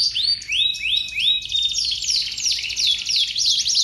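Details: Canary in long, active song meant to set other canaries singing: fast, high rising sweeps repeated about three per second, shifting into bright rolling trills, continuous and loud.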